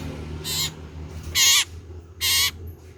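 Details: Common iora calling loudly: three clear, harsh, nasal notes with bright stacked overtones, each about a quarter second long, spaced nearly a second apart in a quiet setting.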